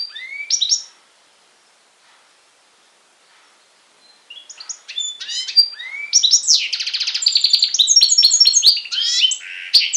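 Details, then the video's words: Goldfinch and canary hybrid recorded on Syros, Greece, in July 2007, giving a brief twitter, a few quiet seconds, then a rising stream of rapid chirps, trills and buzzy rattles that grows steadily louder. "Carduelis Carduelis X Canary singing"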